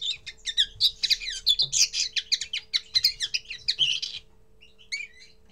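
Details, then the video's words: Common linnet's first song: a fast, dense twittering phrase of chirps and buzzy notes for about four seconds, ending in silence and then a few faint soft notes; a low hum is steady behind. "Первое пение коноплянки"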